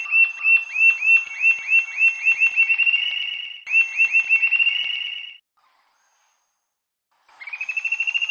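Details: Rufous-tailed jacamar from Brazil giving fast series of high, thin whistled notes that speed up into a rapid rising trill, repeated in two bursts, then a pause before another trill starts.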